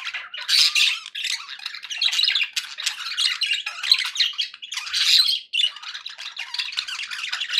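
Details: Pet budgerigars, described as happy, chattering indoors: continuous dense warbling and chirping with scratchy squawks and bright whistled notes, bursts pausing briefly around one and five seconds.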